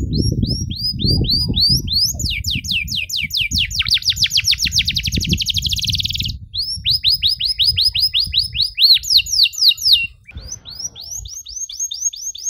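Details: Strongly singing canary with long, ornate 'cengkok mewah' phrases, meant as a model for young canaries: rolling series of falling whistled notes, a fast buzzy trill near the middle, then more repeated chirped phrases over low rumble early on.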